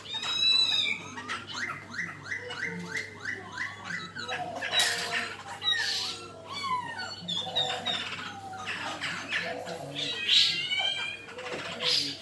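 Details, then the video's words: Black-throated laughingthrush in fighting song, delivering rapid runs of repeated whistled notes, then loud harsh bursts and twisting slurred phrases, continuous and varied. A constant low hum sits underneath. "Khưu mun hót đấu"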